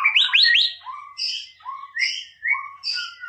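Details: Tutor song of a white-rumped shama, 'Boomerang' style, used to provoke a rival: quick rising whistled notes at the start, then paired high and low whistles alternating in short phrases about every half second.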